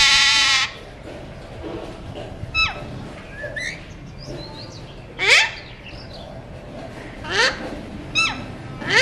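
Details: Pet Alexandrine parakeet kept as a talking parrot. It gives a harsh, loud screech at the start, then a series of sharp, downward-sliding squawks and shorter rasping calls spaced a second or two apart, with quieter chatter in between.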